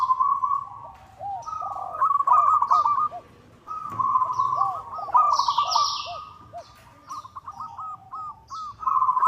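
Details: Zebra dove, local type, calling a rival as a lure: long rolling trills broken into arched, bubbling coos, repeated phrase after phrase. A burst of high chattering from another bird sounds midway.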